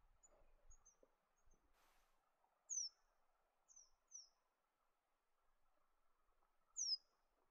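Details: Slaty-backed thornbill (Acanthiza robustirostris), a bird of arid Australian woodland, calls thin, very high, downslurred notes, singly or in quick pairs, a few seconds apart, over faint low background hum.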